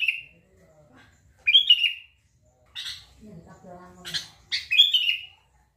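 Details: Sooty-headed bulbul, said to draw an immediate reply from any bulbul, giving short liquid whistled phrases at intervals, with scratchy chatter and a lower harmonic voice-like sound between the phrases.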